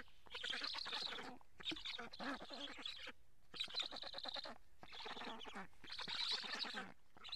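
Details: Black storks at a Karula nest in Estonia, fed fish in July and recorded by a live nest camera, call in five distinct bursts of rapid, nasal, chattering notes, each about a second long.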